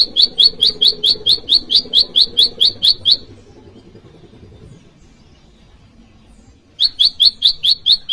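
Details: Bar-winged prinia, prenjak lumut, in calls meant to summon a rival and lure wild prinias or tutor caged ones: a long run of around fourteen fast, piercing chirps, near silence for over three seconds, then the series resumes.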